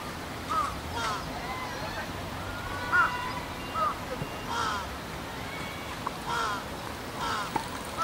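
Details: Large-billed crows, juveniles calling with a parent on 13 June 2015, each with a different pitch, give hoarse, nasal caws. The caws are short and slightly rising, repeat about once a second and sometimes overlap, over a steady background hum.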